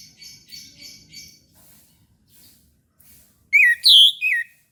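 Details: Morning song of an orange-headed thrush. Faint soft twittering gives way to a loud phrase of three clear whistled notes, the middle one highest, each swooping and slurred.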